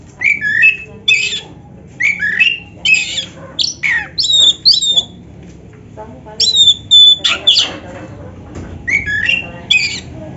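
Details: Caged black-breasted oriental magpie-robin (kacer dada hitam) singing to get other birds singing. Short scratchy phrases and pure high whistles follow each other in irregular bursts over about ten seconds.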